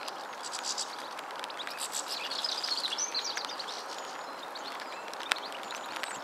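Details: European goldfinch at Holton Lee, giving a faint, twittering, tinkling run of short high notes, loudest in the middle, set against steady outdoor background noise with occasional sharp clicks.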